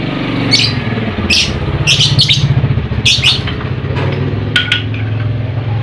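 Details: Lovebird sound used as a lure to make lazy lovebirds sing: bursts of high, harsh chirps in quick clusters every second or so, over a loud steady low hum like an engine.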